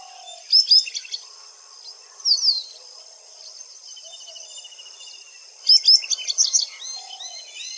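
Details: Calls of a white-browed wagtail in India: bursts of sharp, high chips and slurred notes come in three clusters, the last the longest, with quieter faint chirps between them.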